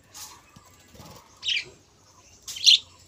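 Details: Budgerigars in a breeding colony with hens sitting on eggs: two short, bright chirps about a second apart after a soft earlier note, over quiet background rustling.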